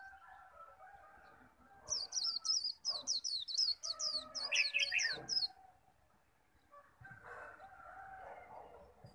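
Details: Japanese white-eye in a singing contest, khuyên líu style: a three-second burst of rapid, high, sharply downslurred whistled notes with a lower twittering phrase near the end, then faint murmuring tones.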